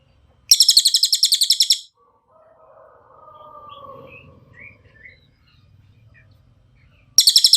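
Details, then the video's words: Cililin tutor song for teaching young or moulting captive songbirds: a fast trill of sharp, high, ringing notes, then a quiet stretch of faint murmuring background sounds before the rapid trill returns. "MASTERAN CILILIN SUARA JERNIH"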